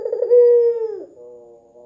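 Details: White dove with red eyes, recorded as a calling lure for other doves: a short burbling start, then one long, smooth, low coo that gently falls and fades into a softer trailing tone.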